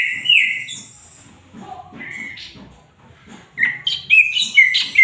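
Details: Greater green leafbird singing loudly and actively, with bright slurred whistles and chattering phrases in quick bursts, a quiet pause midway, then a rapid run of rising and falling notes; faint low knocking underneath.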